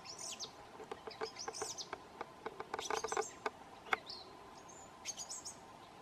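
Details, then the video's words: A thrush in New Zealand whistling its well-known song, loud clear whistled phrases with sharp sweeps and chirps broken by brief pauses, over a steady low hum and scattered clicks. "The Song of a Thrush"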